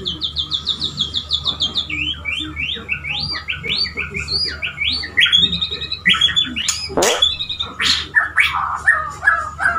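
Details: Male white-rumped shama kept as a pet, singing to court a female. A rapid high trill leads into a chain of quick rising whistled notes, then varied chattering and squeaky phrases, with a sharp loud note midway.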